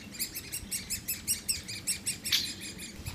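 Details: Woodpecker chicks beg while the male and female parents feed them: a fast run of high, harsh, buzzy chirps, about five a second, over a faint low rumble.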